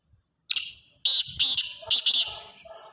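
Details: Black francolin call: three loud, harsh bursts high in pitch, the first short, then two grouped pairs of grating notes over about two seconds, with faint low thumps.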